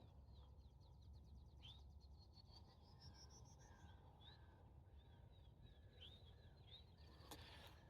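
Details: In the early morning of early summer in grassy open habitat, a Field Sparrow sings high, clear notes that speed up and rise like a dropped bouncing ball; later chirps and a steady low rumble.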